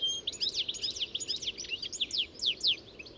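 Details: European goldfinch singing a lively, rapid jumble of high, bright twitters and steep descending slurred notes, delivered continuously across the clip with little background noise.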